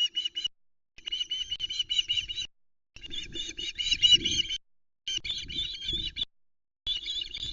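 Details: Young osprey on the Loch Arkaig nest cam, 17 August 2020, begging loudly for a fish delivery from its father; bursts of harsh, high repeated screams separated by brief silences, with low rustling and thumping on the nest.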